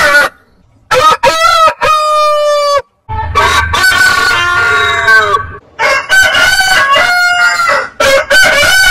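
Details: Several rooster crows in quick succession, each a loud harmonic call with rising then falling pitch, separated by short silences, with a low rumble under one crow.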